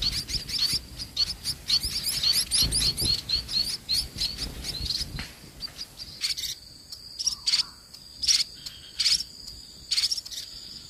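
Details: Toward evening, a parent munia feeds its chicks heavily before night; fast, high, thin chirps come in quick runs for several seconds, followed by a steady high insect-like trill and scattered sharp chirps.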